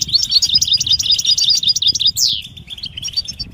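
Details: European goldfinch mating calls used to prompt males to sing: a quick string of bright, high chirps in a lively rhythm, then one loud downward-sweeping note and a softer trailing twitter.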